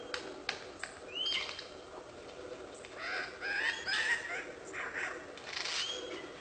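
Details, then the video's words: A lyrebird mimics other birds and laser-gun sounds, running through bright whistled sweeps, squawky honks and chattering bursts that switch every second or so, over a faint background hiss. "Lyrebird repeats birds noises and also laser guns!!!"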